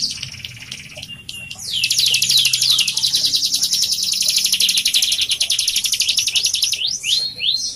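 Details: Captive bar-winged prinia in full song, meant to coax other birds into singing: a short high whistle, then a long, unbroken run of rapid, bright, buzzy notes, ending in a few swooping slurred phrases.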